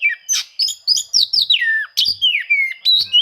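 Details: Rival-seeking song of an Oriental magpie-robin, used to coax silent birds into singing: dense, fast sequence of bright whistled notes sliding downward, interspersed with sharp clicks, nearly continuous.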